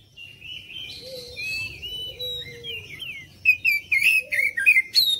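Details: Oriental magpie-robin singing as a lure recording meant to draw replies from other birds: long slurred whistles gliding up and down, then a fast run of sharp, varied chirped notes toward the end.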